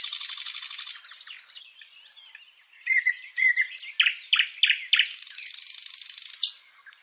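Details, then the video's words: Live nightingale singing: a fast buzzing trill opens, then short whistled slurs, a run of sharp descending notes, another dense rattling trill and a final upswept note, all high-pitched and loud. "Dengê bilbilan - Nightingale sound - Bülbül sesi"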